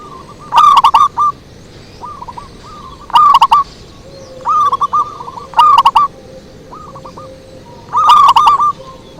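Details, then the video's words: Zebra dove lure song: four loud phrases of quick, clipped, rolling coos about every 2.5 seconds. Fainter hooked coo notes and a low steady coo fill the pauses between them. "Suara Merdu PIKAT PERKUTUT SANG RAJA"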